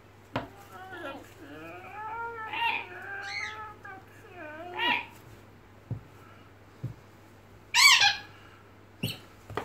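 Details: Fourteen-year-old pet Indonesian red lory playing indoors: a harsh, broadband screech bursts out near the end, with sharp clicks scattered through the clip and a murmuring, voice-like harmonic chatter earlier on, over a steady low hum.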